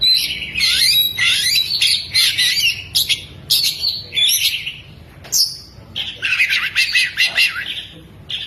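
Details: Spread-tailed Oriental magpie-robin in loud, energetic song with lovebird mimicry worked in: dense chattering trills, squeaky whistled notes and abrupt high-pitched bursts, delivered almost without pause.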